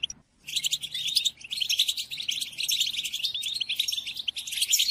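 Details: European goldfinch song for training captive birds: after a short silence, a rapid run of bright twittering notes and trills continues without a break, over a faint low hum.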